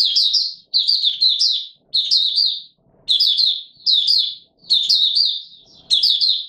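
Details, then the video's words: White-eye, known locally as Mata Puteh Raja, singing on a warm humid day in March 2022: high, fast, slurred twittering phrases repeated about once a second, with near-silent pauses between them. "Mata Puteh Raja Video 1 buka sing warm humid weather"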